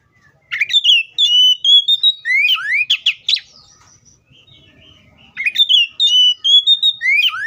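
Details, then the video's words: Kept Oriental magpie-robin pouring out song in two bursts: sustained whistled notes, sharp rising slurs and rapid chattery trills, with a short quiet gap between phrases. "THE BIRD COPSYCHUS SAUCARIS VOICES MUCH LONG LIKE IN NATURE!"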